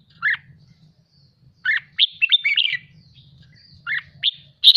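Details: Captive red-whiskered bulbul, excited and fired up, being trained to sing in the 'ché' style. Short warbled, whistled phrases come in bursts: one at the start, a quick run of several phrases mid-clip, then two more near the end. A soft low hum sits underneath.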